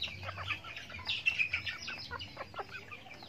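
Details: Backyard farm chickens eating feed during their daily routine; a flock gives dense overlapping high clucks and chirps, bursts clustering around the middle, with a low hum underneath.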